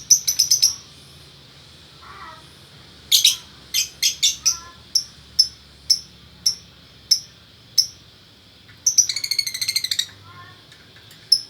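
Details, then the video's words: Gacor pair of lovebirds, male with female, from Bukittinggi, West Sumatra: quick clusters of shrill sharp chirps, then evenly spaced single chirps about every half second, and a short buzzy rattle. "Burung Lovebird Jantan Betina Bukittinggi Gacor"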